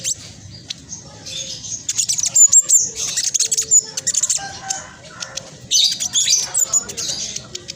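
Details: High-pitched, rapid twittering of a black sunbird 'trotol', kept as a lure to stir reluctant birds into singing; sharp clustered chips and thin squeaky notes come in two loud bursts separated by quieter clicking.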